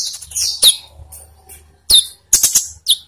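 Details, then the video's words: Olive-backed sunbird song as a lure for captive birds; a few high, sharp twittered phrases separated by quiet gaps, with a faint low hum beneath. "pancingan konin biar cepat gacor"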